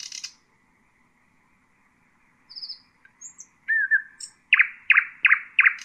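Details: Nightingale singing to tutor young birds: a brief harsh burst, a long silence, thin high whistles, a looping slurred note, then four loud, evenly spaced descending chopped notes.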